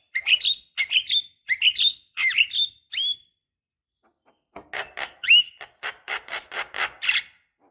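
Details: Black-winged starling, female calling a male to prompt song; a run of bright whistled upslurred notes repeated about every half second, a short pause, then a denser series of harsher chattering notes.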